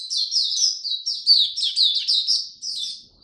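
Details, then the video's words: Caged oriental white-eye in cold rainy weather singing a clean, continuous stream of quick high chirping notes, about two per second-fraction, with no other sounds. "Mata Puteh Buka Sing"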